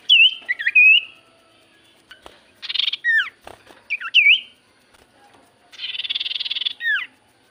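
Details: Javan white-eye song played as a lure to draw replies from quiet birds: looping whistled phrases separated by pauses, with dense buzzy bursts each followed by a steep falling whistle.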